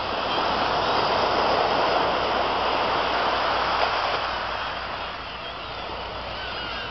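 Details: A steady, loud broadband rush like surf or passing traffic fills the whole recording, easing slightly toward the end, with no animal calls standing out.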